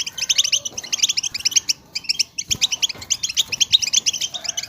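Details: Group of European goldfinches in stimulating chatter intended to encourage singing: quick tinkling, slightly buzzy twitters pour out almost without a break, punctuated by a couple of brief gaps.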